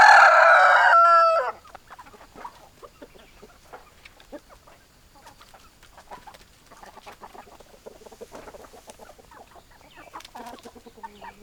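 A rooster's loud, harsh crow ends with a drawn-out falling note in the first second and a half, then soft scattered clucks and scratching follow.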